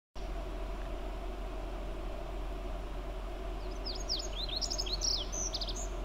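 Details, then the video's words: Lazuli Bunting singing in a bush near Radium Hot Springs, British Columbia: a quick jumble of high, sweet, slurred notes in the last half of the clip, over a steady low traffic rumble. "Lazuli Bunting singing"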